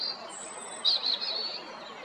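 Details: European robin singing at Jarun in Zagreb, Croatia, on 13 April 2022; a thin high sustained whistle, then a brief bright warbled phrase near the end, with a soft background hiss.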